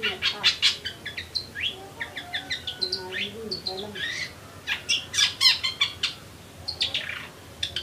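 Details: Eurasian tree sparrows chirping busily, a rapid run of short, sharp, high chirps and brief downslurred notes, several overlapping, with quiet background hiss.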